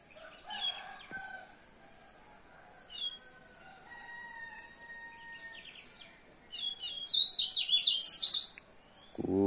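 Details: Yellow-bellied seedeater song: after faint scattered chirps and thin steady whistles, a loud burst of rapid, buzzy, high twittering notes near the end, followed by a brief noise.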